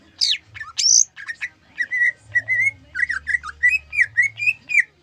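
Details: Caged greater green leafbird of the gayo type singing, its song filled with zebra dove imitation: rapid varied chirps and high sweeps, then a run of short slurred whistles near the same pitch repeated several times a second, faint low hum beneath.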